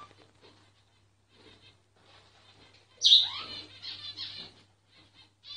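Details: Myna singing, recorded secretly and without moving so it would not stop: after quiet clicks, a sudden loud harsh squawk with a falling whistled tail, then softer buzzy notes and a steady low hum.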